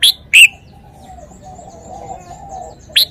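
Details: Red-whiskered bulbul giving a few loud, sharp whistled notes, two close together at the start and one after a quiet gap of about two seconds.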